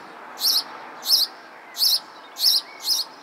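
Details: Five high, sharp sparrow chirps spaced roughly two-thirds of a second apart, each a brief squeaky double note, with a faint hiss behind.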